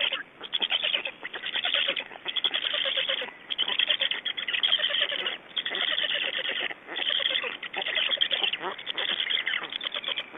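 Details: Black stork chicks alone at their Estonian nest, 3 June 2012 at 19:18, give loud, harsh wheezing calls in long rattling series, each lasting about a second, separated by short pauses, some notes sliding upward.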